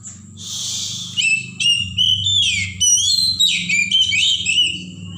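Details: Wild forest Oriental magpie-robin singing a continuous jumble of bright, varied whistles and trills, starting with a harsh rasp, over a constant low humming drone.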